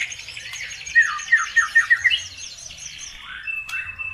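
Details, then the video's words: Bird song played as a lure to provoke other birds into singing: a quick run of six sharp, downslurred chirping notes, then a thin high whistle and a brief rising note near the end, over faint low background hum. "PANCINGAN SUPER AMPUH CUKUP HITUNGAN DETIK LANGSUNG NYAUT BIKIN EMOSI BURUNG NAIK IKUT GACOR"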